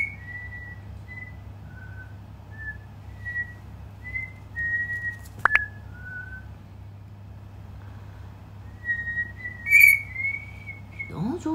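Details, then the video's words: Cockatiel kept indoors rehearsing a melody it is slowly memorising: a string of even whistled notes, a sharp click midway, a louder warbled phrase near the end, then a person's voice praising it. "歌の覚え方が地道すぎる オカメインコ"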